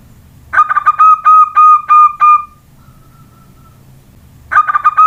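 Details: Juvenile local zebra dove answering whistling with a rapid series of clipped, resonant coos that ends in a drawn-out note. A soft human whistle follows before the bird starts a new burst.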